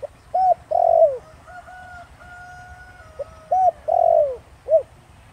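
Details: Spotted dove, a 'Thổ Đồng' voice used to lure wild doves: two phrases of low, hollow coos, each a short note, a louder drawn-out coo sliding downward, then a brief final note, with faint thin whistles between.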